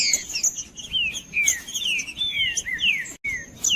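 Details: Caged green-winged saltator singing, used to warm up other caged birds: a series of loud, clear, slurred whistles, mostly descending, given in quick succession with a faint steady high tone behind them.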